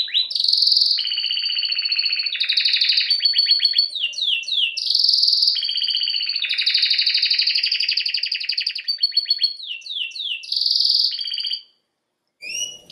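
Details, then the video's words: Canary song with long fast rolling trills in several tours, alternating with quick descending slurred notes and brief bright whistles, loud and continuous, ending abruptly. "Canary bird Singing"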